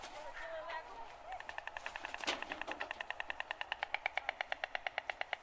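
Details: A peafowl (peacock song) gives a fast run of short, nasal honks that speed up to several per second, after a brief stretch of softer voice-like sounds.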